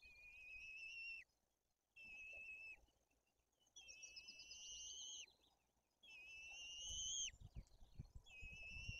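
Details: White-tailed eagles at a nest in the Tuchola Forest, Poland, while the female feeds the chicks and the older chick shows aggression: thin, high whistled notes about a second long, some rising and wavering, repeated after short pauses; low rustling toward the end.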